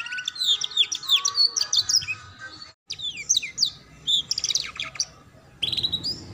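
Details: Training song for young canaries learning to ngeriwik: rapid high twittering, fast slurred notes and trills in several bursts with short silences between.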